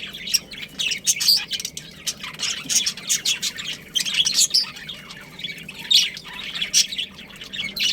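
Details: Budgerigars, a caged breeding pair, keep up a busy run of high, sharp chirps and scratchy squawks, packed closely together with hardly a pause, over a faint low hum.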